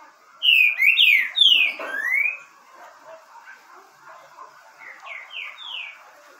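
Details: Green-winged saltator (trinca-ferro verdadeiro) delivers a loud, fluty phrase of descending slurred whistles ending in an upward slide, then a softer, similar phrase of three falling notes.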